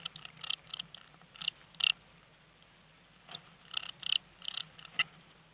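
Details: Newly hatched Eurasian blue tit chicks in a nest box give high, thin, squeaky begging calls in short excited bursts every second or so while both parents busily feed them, over a faint low hum.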